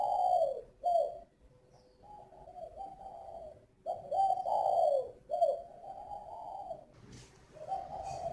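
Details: Caged spotted dove with a mixed-voice ('giọng pha') song from a bird breeder near Ba Vì, Hanoi, Vietnam: mellow, hollow coos in phrases, a short note then a longer drawn-out coo, repeated several times.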